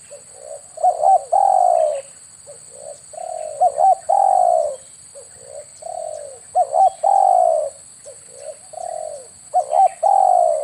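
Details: Spotted dove calling, used as a lure to draw doves while hunting with an air rifle. Coo phrases repeat steadily throughout, each made of quick double coos and a longer downslurred note, with a few overlapping phrases.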